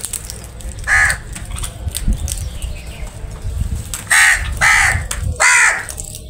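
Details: Crows gathered and feeding together: four loud, harsh caws, one alone early and then three in quick succession near the end, set against a low, continuous rumble.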